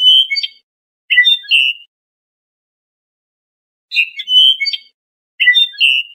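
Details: Lor-style tutoring song of a trained Iranian European goldfinch: two pairs of short chirpy, twittering phrases, separated by a long silent gap of about two seconds.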